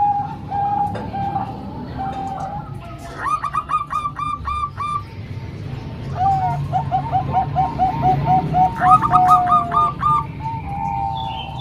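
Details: Zebra doves, three Bangkok-type singers combined with one local bird for training young doves. Rapid series of short, ringing coo notes in quick bursts overlaps a lower, steadier cooing line, with a low rumbling background.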